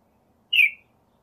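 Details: A Northern mockingbird gives a single short, slurred, downward note, in isolation with silence around it.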